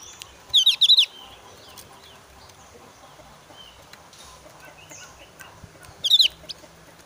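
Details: Javan grey-throated white-eye, excited during breeding season and singing to challenge an opponent, utters two brief clusters of high, twittering whistled notes about five seconds apart over quiet background hiss.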